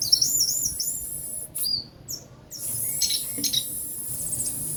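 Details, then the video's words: Captive ringed orange-headed thrush singing after its moult: high, thin whistled phrases with quick looping and slurred notes, a brief pause in the middle, then sharper chipped and trilled notes over faint low background hum. "Anis merah"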